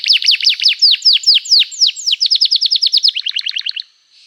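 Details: Gacor canary song used as a lure to make other caged canaries answer and sing, described as emotional cuit-cuit chirping: a rapid run of loud, downward-swept whistled notes, about seven per second, quickening into a faster trill before stopping.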